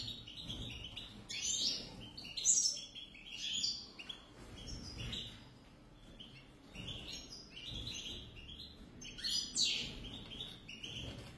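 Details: Lively high song from a pair of European goldfinches: clusters of sharp chirps, quick trills and buzzy twitters, loudest in bursts, with brief quieter gaps between phrases.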